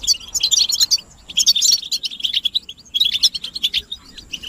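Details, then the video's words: Goldfinch chatter meant to break a male's silence; three separate bursts of quick, high tinkling chirps, each about a second long, with quieter pauses between them. "بتبتة الحسون تحفيز الحسون على التغريد والهيجان علاج صمت الحسون goldfinch stimulation"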